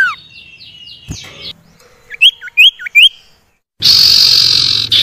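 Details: Common iora song used to coax reluctant caged birds into singing: sharp descending chirps and a run of short rising whistled notes near one-second spacing, then a dense buzzy hiss at the end.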